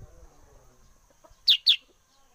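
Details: Sooty-headed bulbul, the kind kept as a lure for other birds, delivering a loud pair of piercing, falling chirps in a quiet setting.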